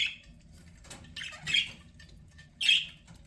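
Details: Budgerigar kept as a pet gives a few isolated short, bright chirps spaced about a second apart, with quiet low hum between them.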